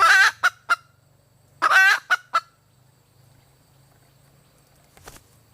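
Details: Female red junglefowl calling: a loud nasal harmonic squawk followed by two short clipped notes, then a second squawk-and-clucks phrase about 1.5 seconds later, with a faint low hum underneath.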